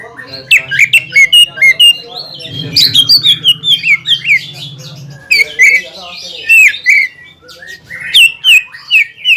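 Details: Greater green leafbird singing to provoke a rival bird: loud varied whistles and chirps in rapid succession, sweeping up and down, over a steady low hum in the first half.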